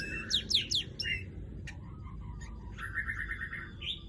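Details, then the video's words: Weaver calls: a quick run of sharp descending chirps, a click, then a sustained buzzy rattling note near the end; low background hum. "Crecet .. Cret ..!! SUARA PANGGILAN BURUNG MANYAR"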